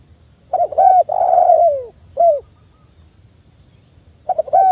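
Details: Spotted dove (tekukur) singing actively in a tutor and lure recording. Short clipped coos lead into a longer, drawn-out falling coo, then a lone coo, a pause, and a new phrase starting. A steady thin high whine runs throughout.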